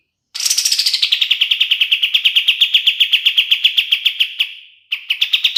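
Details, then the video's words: Black-capped bulbul, called kapas tembak, singing for use as a songbird training master: one long rapid trill opening high and sliding down into even pulsing notes that fade out, followed by a short renewed burst. "SUARA KAPAS TEMBAK SUPER JERNIH UNTUK MASTERAN BURUNG JUARA"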